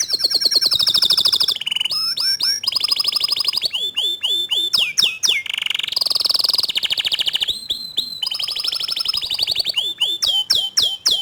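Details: Loud gacor canary singing used as master song for a young untrained canary. A nonstop stream of fast rolling trills, buzzy rattles and high whistled sweeps, switching phrases abruptly every second or two.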